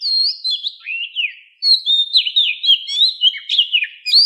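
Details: Oriental magpie-robin song in the wild style, used to train the voices of captive fighting birds: a fast run of varied high whistles and slurred notes, with a short pause before a dense, rising and falling phrase.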